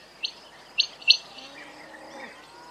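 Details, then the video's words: Quail giving three short, sharp chirps in quick succession, high and clipped, over a faint steady background hiss. "Звуки перепілки❇️Quail sounds"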